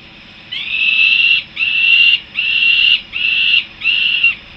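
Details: Young peregrine falcons returning to the nest in Harrisburg, USA: five drawn-out, harsh, wailing calls, each under a second with a slight rise and fall, repeated steadily with short gaps over a low background hum.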